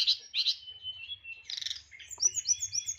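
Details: Caged hill blue flycatcher's loud nyeklek song with varied fills: raspy chattering bursts, a steady thin whistle, then a quick series of high descending slurred notes.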